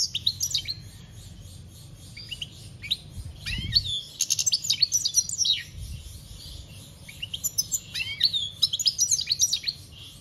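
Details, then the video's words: European goldfinch singing in the campero style, recorded in 2021: bright twittering bursts of high, tinkling notes with quick upward and downward slides, in two busy phrases separated by a quieter gap, over a low background rumble. "Goldfinch singing - Jilguero Cantando Campero - Chant Chardonneret"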